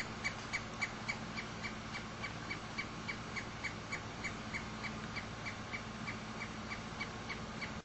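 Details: A pileated woodpecker near its nest outside a home in Frankfort, Kentucky gives a long, even run of short, clear, ringing notes, about three or four each second, over a steady low hum.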